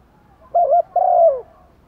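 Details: Caged decoy spotted dove calling to draw in wild doves: one low coo phrase made of a quick wavering two-part note, a brief pause, then a long, level coo that sinks at the end.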